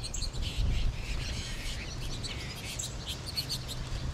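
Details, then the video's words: Flock of American goldfinches late in the season, with more birds in the trees above; scattered thin, high chirps and twitters over steady low background rumble. "American Goldfinch flock"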